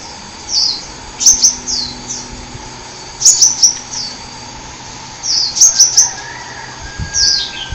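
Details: Wild hummingbird from the forest: thin, very high squeaky chirps, quick clusters of three sharp notes separated by soft downslurred tseep notes, repeating roughly every two seconds over a steady low hum.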